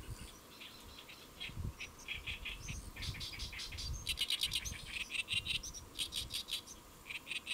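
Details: A great reed warbler perched on a lotus leaf at Saemangeum, Gimje, South Korea, at midday on July 1, 2024 sings a loud, grating chatter of harsh, croaking notes in quick, uneven phrases, over a low background rumble.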